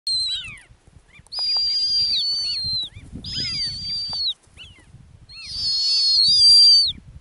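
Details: Female snowy owl on its ground nest in the Arctic, giving three long, high, shrill whistled screams of about one and a half seconds each, level then dropping at the end, with quiet low rumbling between calls.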